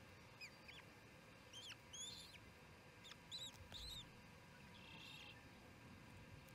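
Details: At the Charlo osprey nest during the second evening feeding, 7pm on June 18, 2018: clustered high whistled chirps, each rising then falling in a quick arch, in bursts of two or three, over low hum.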